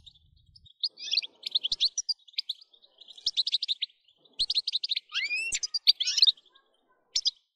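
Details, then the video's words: European goldfinch singing, played to stimulate other goldfinches to sing: bursts of bright tinkling, twittering notes with quick buzzy trills and rising slurred whistles, broken by short pauses. "بتبتة نااار يا حبييبي ناااار لتهييج الحسون ستجعله يغرد من دووون انقطاع"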